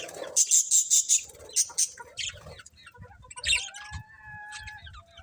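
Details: Budgerigars in a happy colony give a fast run of bright, evenly spaced high chirps, then scratchy chatter and a few thin whistled notes over soft low bumps and rustling.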